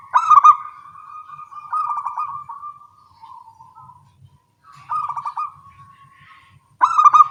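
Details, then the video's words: Morning song of local zebra doves answering one another, several bursts of quick bubbling coos each trailing into a steady purring trill, with short pauses between phrases. "Perkutut lokal suara kecil gacor pagi hari bersahutan"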